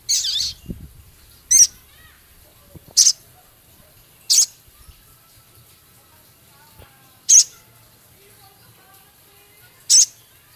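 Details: Male Javan cochoa ticking within its minivet-filled song: an opening scratchy burst, then single piercing high chips repeated every one and a half to three seconds, over quiet room hum.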